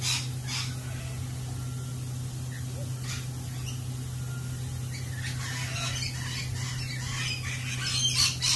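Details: Lorikeets at a lorikeet cafe make scattered harsh squawks and short rasping screeches, thickening toward the end, with people talking and a steady low hum beneath.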